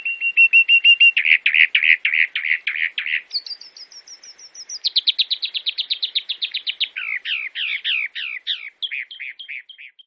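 A Chalk-browed Mockingbird sings a varied run of phrases: rapid repeated chips, a high thin trill, then buzzy rising notes and slurred whistles, each type repeated several times.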